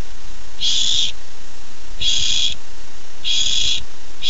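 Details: Young barn owl, excited to get the first treat, 13 July 2015; harsh breathy screeches about half a second long, spaced roughly every one and a half seconds, faint hum behind.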